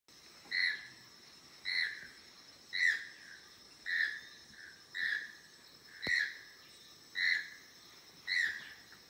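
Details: Choco toucan (Ramphastos brevis), call.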